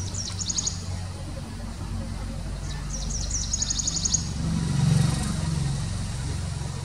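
Grey-breasted prinia giving thin, very high, rapid ticking trills in two short bursts, over a steady low rumble of traffic.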